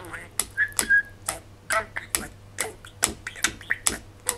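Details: Male pet budgie aged three and a half, babbling at a mirror on a morning after rain: clipped clicks, a couple of clear whistled notes and muffled speech-like chatter over a faint steady hum.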